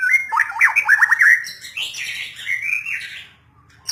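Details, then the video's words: White-rumped shama song: a quick series of steep falling whistled notes followed by a long wavering rising warble, fading into quiet at the end. "MURAI BATU"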